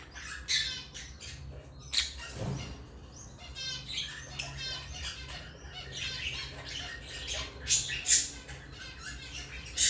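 Lovebirds give busy, high-pitched chirps and harsh squawks in irregular bursts, with overlapping chatter and a low background hum.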